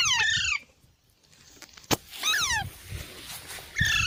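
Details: Parrot giving three harsh, downward-sliding squawks separated by pauses, with a sharp click and low background rumble in between.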